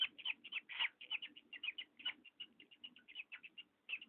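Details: Parrot making creaking squeaks: short, high, scratchy notes repeated rapidly at about four per second, over a low background hum.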